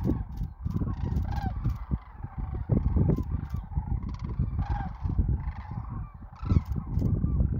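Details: Migrating sandhill cranes south of Wood River, Nebraska, spring 2024: a crowded chorus of throaty, rolling trumpet calls from many birds, with a constant deep rumble underneath.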